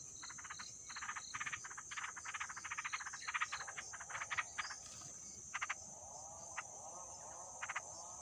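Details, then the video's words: Starving yellow-vented bulbul chicks, two days old in a wild nest, give fast trains of scratchy begging pulses for about four seconds, then only a few isolated calls against a constant shrill background hum. "Baby birds after 2 days hatch, and they are starving"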